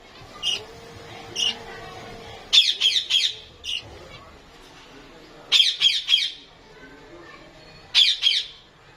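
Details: Lovebirds in Lahore give piercing high squawks, single at first and then in rapid triplets repeated every few seconds.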